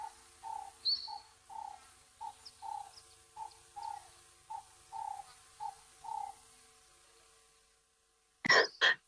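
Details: Vocal dove calling in the background in afternoon sunshine at an African wildlife cam with giraffes: low, hollow coos in quick, slightly uneven pairs, faint high chirps from another bird above, and a brief loud rustle at the end.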